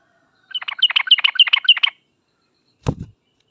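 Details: Yellow-vented bulbul in sharp, fast song meant to get other birds answering: about ten quick repeated notes in a rolling phrase, followed by a single dull knock.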